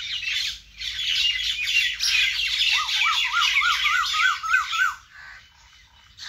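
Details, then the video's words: Birds in a vegetable garden: busy high chirping chorus overlaid by a clear repeated zigzag phrase of rising-falling notes, about seven quick cycles, before the chorus fades. "vegetable Garden and natural bird sound"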